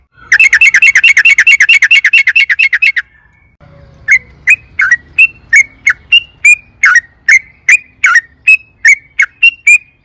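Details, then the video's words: Excited sooty-headed bulbul in long rolling 'ropel' song, played to prompt caged birds to sing: a rapid, even trill of chirps for nearly three seconds, then a slower series of separate whistled notes. "trucukan gacor EMOSI ROPEL PANJANG PANCINGAN TRUCUKAN AGAR BUNYI"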